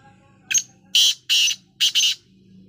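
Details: Black francolin in a dust bath, calling a sharp short note and then three strident rasping bursts in quick succession, the final burst split in two, over a faint low hum.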